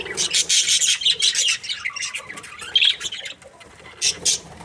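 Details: Budgerigars chirp happily: a loud opening flurry of shrill chatter, then softer warbling and squeaky notes, fading briefly before a final pair of sharp chirps.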